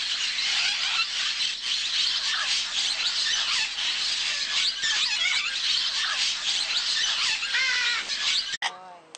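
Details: Blue-headed parrots (Pionus menstruus) eating soil at a riverbank clay lick in Manu, Peru: a dense, unbroken chorus of harsh, squealing chatter from many birds, with a few clearer, ringing screeches near the end.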